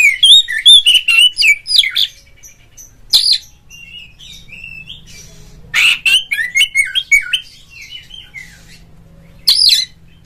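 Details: Oriental magpie-robin in a cage, calling to prompt fellow magpie-robins to sing: a fast opening run of whistles and rasps, then scattered chips and warbled phrases, with a background hum.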